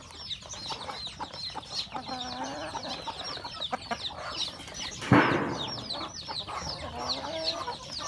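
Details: Chickens with roosters and a hen eating breakfast at home; continuous high peeping and lower clucks, with a loud broadband thump or flap near five seconds.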